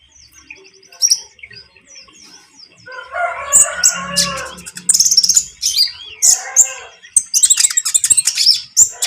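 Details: Spotted young konin (iora) calling to raw, untrained konin to provoke them into singing along; sharp high chirps and short whistles, a harsh rasping burst near the middle, then dense rapid twittering toward the end.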